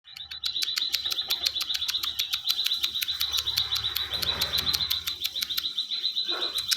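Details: Ciwah in full, lively song, kept as a model for training other songbirds: a fast, steady train of sharp high chirps on one pitch, about four a second, over a low rumble.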